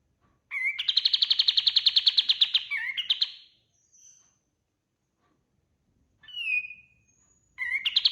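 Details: Kapas tembak white-eye in full gacor song, a master track for teaching other birds: a long, loud, rapidly pulsed buzzy trill with a twisting end note, silence, a single slurred whistle, then another trill beginning.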